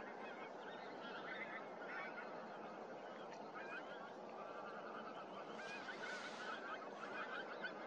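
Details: Flock of pink-footed geese recorded at Starene, 2023: continuous murmuring chatter with repeated higher, two-note honks rising out of the crowd noise.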